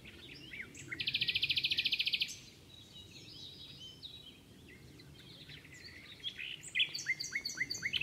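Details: Common nightingale song, likened to a more fluted canary song: a loud, fast, even rattling trill for about a second, then a quieter pause with thin whistles, and finally a run of rapid varied chirps and sliding notes.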